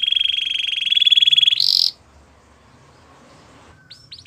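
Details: Spanish Timbrado canary holding a long, even rattling trill that jumps into a short, loud, high burst, followed by near quiet with a few faint high notes at the end.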